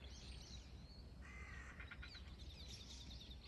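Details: A single striated heron, recorded on 28 October 2023, gives one harsh, croaking squawk over high twittering from small birds and a low background rumble.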